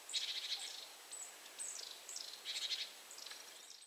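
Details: A Eurasian nuthatch grooming and calling toward another in a different tree gives clusters of high, sharp, falling notes mixed with brief buzzy trills, recurring every second or so over a constant hissing background.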